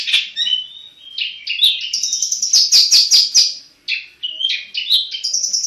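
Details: Black-headed long-tailed shrike, caged, delivers a lively song of whistled notes, buzzy rattles and fast high chatter, broken by one short silence.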